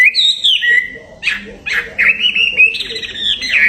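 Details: Songbird prepared for competition gives a long descending whistle, then short sharp bursts and sustained warbling whistled notes.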